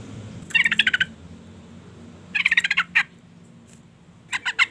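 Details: A female sooty-headed bulbul calls to provoke a male: three bursts of quick, harsh stuttering notes, each burst about half a second, separated by pauses.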